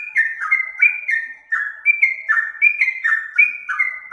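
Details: Steady run of short whistled phrases from a kept trucuk, or Yellow-vented Bulbul, in Indonesia. Each slurred note falls slightly, repeating roughly 79 times a minute, and one short pause breaks the series.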